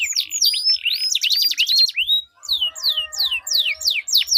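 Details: Canary duel with melodious long rolling song, used to spur other canaries into singing: looping whistled sweeps and quick trills, a brief pause, then a series of descending slurred whistles repeated about twice a second.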